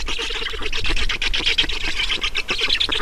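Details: At an Estonian black stork nest during feeding on 5 June 2019, 16:28, loud wheezy, grating calls pour out in quick pulsing bursts, harsh and steady throughout the short stretch.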